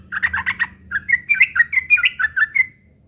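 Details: ['Rough chattering fighting song of a Yellow-vented bulbul, played as a lure to draw answers: a tight cluster of buzzy notes, a brief break, then a run of clearer warbled notes fading out.']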